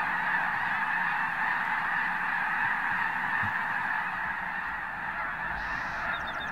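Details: A massive flock of Arctic white geese departs at once from Summer Lake Wildlife Area in Oregon. Continuous overlapping honks dominate, easing slightly near the end, where a few higher, thin chirps appear.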